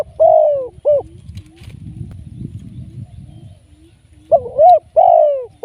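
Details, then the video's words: Live decoy spotted dove kept for trapping. Strong hoarse coo phrases open and close the stretch. Each phrase has a drawn-out downward note and a short hooked one. Soft low muttering and pulsing sounds fill the gap between. "เสียงนกเขาใหญ่ ต่อสด"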